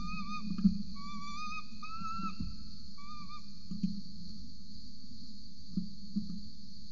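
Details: In Orange, Australia, at 8:07 am on 26 November 2020, an adult peregrine falcon feeds a chick at the nest, recorded by nest camera; a run of wavering whistled calls, some rising, over the first three seconds, then light clicks and hum.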